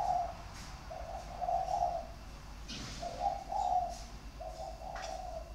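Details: Sharp-voiced spotted dove cooing in its three- or four-note style on 23 February 2020: low, rolling coo phrases repeated every couple of seconds over a constant background hum with occasional clicks.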